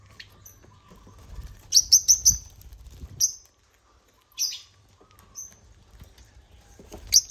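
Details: African lovebirds (Agapornis) hijacking a millet crane; a quick volley of four sharp, high chirps, then spaced single squeaks and short shrill notes through the rest, with a faint hum.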